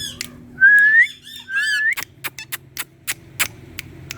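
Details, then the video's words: Indian green ringneck parrot on a plant gives two clear whistles that rise sharply, mixed with chattering syllables, followed by a series of sharp clicks and taps over faint hum. "Indian Talking Parrot 🥀 Speaking On Plant🪴Green Ringneck"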